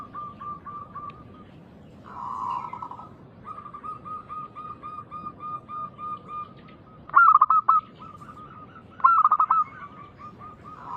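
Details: A loud local zebra dove sings as a lure for other doves. A long run of soft, regularly repeated coos and a brief humming coo come first, then two loud staccato bursts about two seconds apart.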